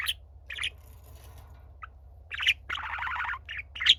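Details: Budgerigar, the younger of two pet birds, singing to a quietly listening older companion: scattered chirps and clicks, then a sustained buzzy, grinding warble and a final sharp squeaky note, faint low hum underneath.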